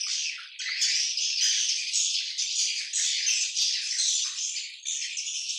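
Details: Dense chorus of colony swiftlets, shrill rasping twitters overlapping continuously, with small surges and dips in volume.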